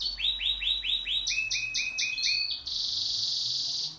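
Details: Pet canary singing in duet, giving a run of repeated upswept notes that shift into a faster, higher series, then break into a sustained, dense, buzzy trill.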